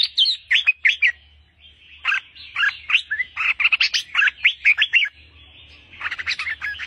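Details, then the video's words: An albino, hand-tame red-whiskered bulbul sings a lively run of rich, bubbly whistled phrases, several notes a second, with a brief pause midway before resuming. "chào mào bạch tạng cầm tay hót đỉnh của chóp"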